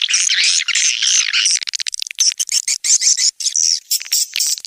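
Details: Indonesian outdoor swiftlet-house lure, SP Anak Gembala, used in Sóc Trăng and Đắk Nông: continuous high twittering chirps with wavy notes, followed by rapid clicking mixed with short shrill calls.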